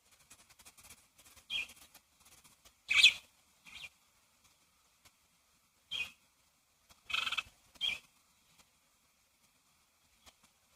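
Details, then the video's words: Birds in a yard: sparse, short, high chirps in scattered bursts, with a louder cluster near the start, another later on, and quiet gaps between them. "birds chirping sounds in my yard"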